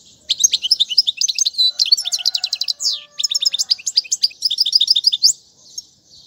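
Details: Continuous European goldfinch song meant for training young birds: dense chattering phrases of quick descending notes and brief buzzy trills, with a faint lower tone in the background, fading out at the end.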